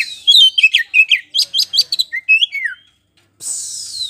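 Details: Black-throated magpie-robin singing loudly and without pause as a lure to provoke another bird to answer: a rapid run of sliding whistles and sharp chirps, followed by a brief silence and a buzzy hiss.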